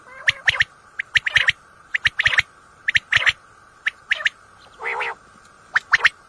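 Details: At night, a common quail used in hunting repeats sharp, clipped three-note phrases about once a second, with one buzzy rasp near the end and a steady background hum.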